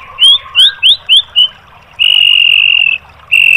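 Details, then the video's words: Caged-bird training recording of white-rumped shama song in 'tembakan' style: five quick upslurred whistles in a row, then a long steady high whistle held for about a second, and a second sustained whistle at the end. "MASTERAN MURAI BATU biar EMOSI NYAUT jadi GACOR BONGKAR MATERI TEMBAKAN"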